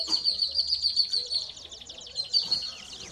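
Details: Softer canary song for training young birds: a row of quick high chirped notes followed by a tangled, twittering run, heard at a lower level over faint background noise.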